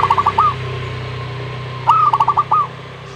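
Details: Zebra dove song: two bursts of rapid, stuttering coos, each a run of five or six short notes ending in a slightly longer one, with a constant low droning hum behind.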